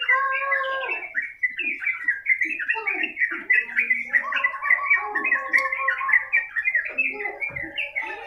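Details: Yellow-vented bulbul in a long, continuous training recording for teaching other birds to sing. It gives dense, bubbling, chattering phrases, with overlapping notes rising and falling almost without pause across the whole stretch.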